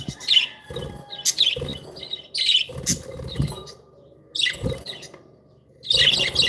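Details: Several happy, playful pet budgerigars give bursts of high, scratchy chirps roughly every second, broken by low thumps and rustling that sound like wing flapping or cage movement, with a quieter pause before a final burst of chirping.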